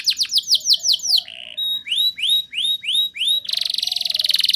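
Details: Singing canary, played to encourage young birds to sing: a run of fast swept notes, a brief low buzz, five evenly spaced rising whistles, then a dense rattling trill.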